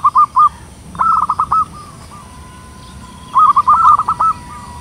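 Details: Loud-voiced local zebra dove, used to attract wild birds, repeating short fluttering phrases of clipped, mellow coos, each phrase about half a second long and trailing into a soft held note.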